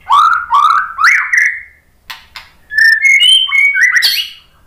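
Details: White-rumped shama singing to provoke other birds to answer: rich whistled phrases rising and swooping, a short gap with clicks, then a string of clear level and rising whistles.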